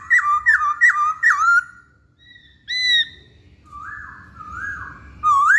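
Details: Masked laughingthrush lure recording for reluctant males. Three quick looping whistled phrases, a pause, a single sharp note, then soft sliding whistles and a final loud rising whistle.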